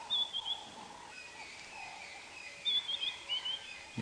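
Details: A White-browed scrub robin at sunrise around 6 AM on 5 May 2017, on a safari drive in the African bush, gives two short bursts of thin, high, sliding whistles about 2.5 seconds apart over a soft hum of distant birds and insects.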